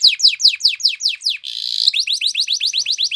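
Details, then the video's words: Canary training song with a run of sharp downslurred notes, a short buzzy roll, then a steady sequence of upswept chirps. "It's Impossible If Your Canary Doesn't Ring!!"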